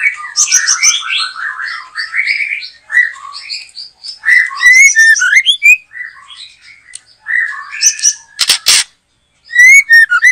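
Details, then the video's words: Backyard white-rumped shama singing hard while trapping is under way. Rich, fast medley of whistles and chattering warbles, with bright rising slurs, a brief harsh burst and a short pause before the song resumes. "Mikat Burung Murai batu,,Sudah gacor dorrr"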